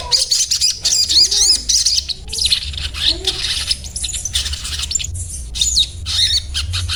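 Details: Little spiderhunter (sogon) singing rapid, sharp twittering phrases of high chips and short whistled slurs, delivered in bursts about twice a second, over a constant low background hum.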